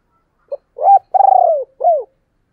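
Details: Spotted dove in the thúc and gáy gọi calling styles. One clear, low phrase: a soft pip, a rounded coo, a long rolling coo that slides downward, and a final falling note. Silent background.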